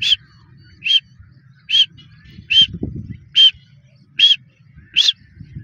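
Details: A female grey francolin calls: a clear, high, sharp note repeated steadily, about once every second, over a low rumbling background.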